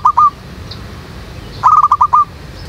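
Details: Backyard Zebra dove in a jackfruit tree, used to lure wild doves into a trap, gives a brief two-note coo, then a fuller rolling phrase of about six quick pulsed notes.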